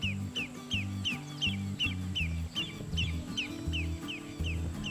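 Lesser Yellowlegs alarm call: sharp, whistled, downslurred tew notes repeated steadily, two or three per second, over low background music.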